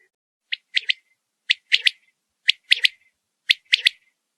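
A quail repeats a sharp three-note call, one short note then a quick pair, about once a second; nothing else is heard.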